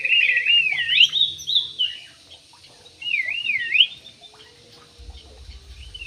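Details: Singing Javan pied starling: a buzzy trill flowing into looping, up-and-down whistles, a pause, then another wavy whistled phrase; faint low hum underneath.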